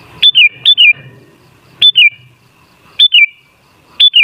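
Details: Lure recording of a sooty-headed bulbul to set other bulbuls singing; five quick whistled phrases, the first two close together, each a sharp high note sliding down in short steps, over low background murmur.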